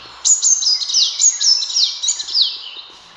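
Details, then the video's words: Sunbird hunting-lure call: an energetic series of sharp, very high chirps sliding steeply down, about four a second, forming a continuous excited twitter over light hiss. "Sun Bird Sounds ✔️Sun Bird Calling Sound Effect Mp3"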